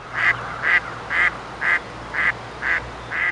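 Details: A female mallard in early spring gives the "following quack" nesting call after mating, seven loud nasal quacks at about two per second, while the male watches and follows her. Faint background hum.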